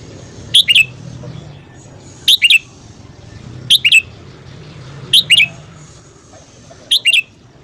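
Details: Morning song of a red-whiskered bulbul, used for voice training. A clipped, twin-note whistled phrase repeats five times at about one-and-a-half-second intervals, loud and consistent, with low background hum.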